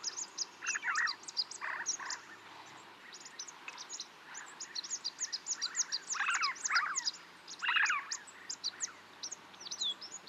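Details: Snow partridge near Tungnath Temple, Chopta, Uttarakhand, India, at 3700 m altitude, giving harsh, grating bursts about a second apart, over a steady wash of thin, high chirping from other small birds.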